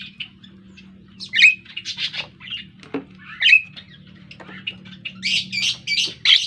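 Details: A Javan myna learning to sing gives a run of harsh, squawky and buzzy notes mixed with quick rising whistles, over a low steady hum.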